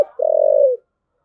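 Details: Spotted dove giving a "thúc gù" coo: a single drawn-out, low, purring note lasting about half a second, slightly rough and pulsed, ending with a soft downward slur, then silence.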